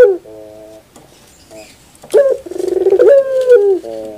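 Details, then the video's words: Barbary dove song: soft, faint low hums at first, then one loud coo that starts with a sharp note, rolls through rapid throbbing pulses, and settles into a sustained mellow tone before dropping off into quieter humming. "your puter bird will definitely sound"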